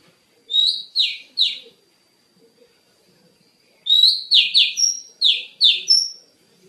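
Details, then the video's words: Kacer, the Oriental magpie-robin, singing in a training recording for songbirds: three rich, slurred chirps, a pause of about two seconds, then a longer, rapid phrase of sweet, varied notes with sharp, high overtones. "SUARA BURUNG - Masteran Terbaik Kacer"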